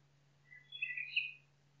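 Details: Nightingale singing in forest: a short, dense phrase of overlapping whistled notes that rise then jump higher, about a second long, with silence around it.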